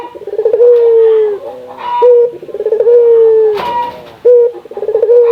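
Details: Local Barbary dove from the Indonesian archipelago cooing to get other doves calling. Repeated low phrases each blend a stuttering trill into a long steady hum, with brief sharp notes in between. A rattle-like knock is also heard.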